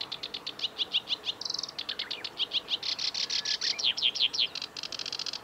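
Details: Black-browed reed warbler singing at the Kita-Fuji training area, Japan, on June 16, 2019: a fast, varied chatter of high, scratchy notes, about three per second, broken by a brief buzzy trill.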